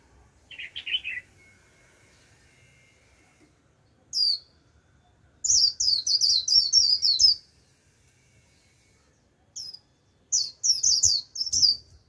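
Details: White-eye decoy song drawing a wild flock: one lower buzzy note first, then after a pause a lone chirp, a long rapid run of high twittering chirps, and two more short bursts near the end.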